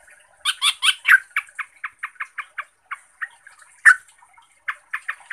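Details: Yellow-vented bulbul (trucuk) song used as a lure to make other trucuk angry and sing. A loud opening run of rich, buzzy notes is followed by a series of short, clipped chirps about every quarter second, with one sharp accented note.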